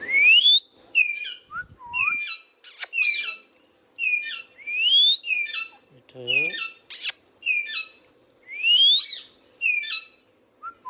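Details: Indian ringneck parakeet kept as a pet, calling almost continuously with rising whistles, clusters of stepped chattering notes and sudden shrill screeches, with a few softer low murmurs mixed in.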